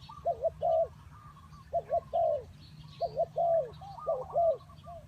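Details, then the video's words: Spotted dove serving as a decoy for trapping, delivering pairs and short runs of mellow, arched coos with brief gaps. Fainter higher whistles from other birds overlap. "The Sound of Spotted dove"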